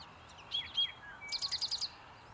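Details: Eastern towhee song, a "drink your tea" variation recorded 8 May 2020 at Recway and Lindsay-Parsons, East Ithaca: two slurred whistled notes, then a quick trill of about six bright, evenly spaced notes.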